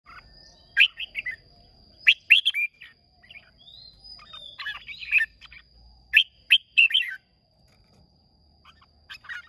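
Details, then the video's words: Red-whiskered bulbul from Hòa Bình, Vietnam, singing in a contest, recorded 30 May 2023: bright, short whistled phrases and chirps in clustered bursts separated by pauses, with a steady high thin tone running underneath throughout. "Chào Mào Hót Đấu Rất Đẹp Rất Hay Gốc Hoà Bình"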